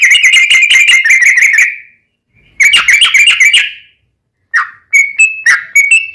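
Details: Yellow-vented bulbul song played as a lure for captive birds to answer: fast chattering bursts of bubbly whistled notes in two runs, a pause, then a few separate liquid whistles.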